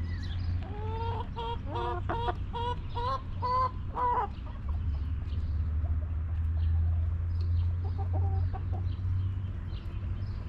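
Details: Backyard hens relaxing in a coop, a rapid series of about eight loud harmonic clucks in the first four seconds, then softer distant clucking over a steady low hum.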